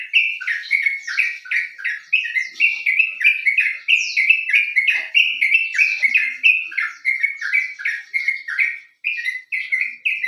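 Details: Yellow-vented bulbul song used as a lure to get other birds singing: a lively, continuous chatter of short bubbly notes, about one and a half per second, with brief higher squeaky flourishes, clean and without other sounds.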